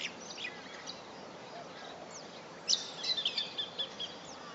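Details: Superb fairywren recorded on 1 September 2011: a quiet stretch of faint scattered high notes, then a burst of thin, high chirps and short trilled notes over a steady background hiss.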